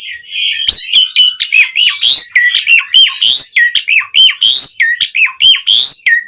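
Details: Asian pied starling in powerful song with varied fills, meant to spur other starlings to sing: rapid repeated chattering phrases, each a sharp click followed by a dipping whistled note, nearly once a second.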